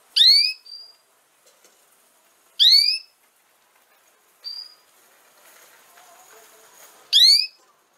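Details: Canary recording meant to teach young canaries to sing: bright, rising, harmonic notes repeated roughly every two to four seconds, with a softer short note between them and faint background rustle.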